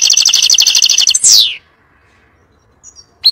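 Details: European goldfinch singing for teaching young birds: a rapid buzzy trill of repeated notes ending in a steep downward sweep, quiet pause, then faint high chips.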